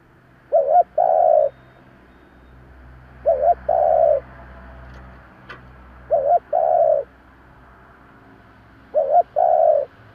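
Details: Lure spotted dove cooing in the 'giọng thổ' voice; four two-part phrases about three seconds apart over a low background hum, each a brief quavering note then a sustained coo.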